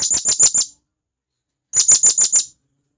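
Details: Wild blue-crowned hanging parrot from the forest calling its companions: two bursts of five to six shrill, very high, piercing notes in rapid succession, separated by about a second of silence.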